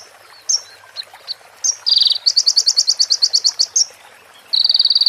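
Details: Crimson sunbird (konin) song from a training recording for cage birds, with fills imitating female prenjak and ciblek. High, thin chips and short notes, then a fast, even rattling trill of sharp pulses, ending in another rapid buzzy trill.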